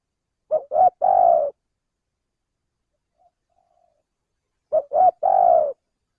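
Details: A male spotted dove's coo used as a bird lure: two phrases about four seconds apart, each with two short quick notes followed by a prolonged mellow coo, and silence in between.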